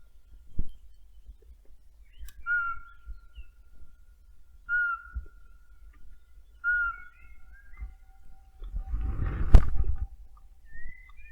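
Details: A Eurasian pygmy owl, the first recorded in Bydgoszcz Forest, Poland, found on a frosty morning on 16 March 2025 while surveying boreal owl males, gives clear mid-pitched monotone whistles about every two seconds; low rumble, handling thump near the end.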